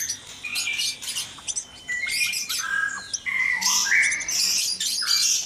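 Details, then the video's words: White-rumped shama singing in a breeding cage at dawn amid noisy activity: buzzy bursts alternating with flat, held whistled notes stepping between pitches. "Suara murai batu berisik dikandang ternak saat subuh"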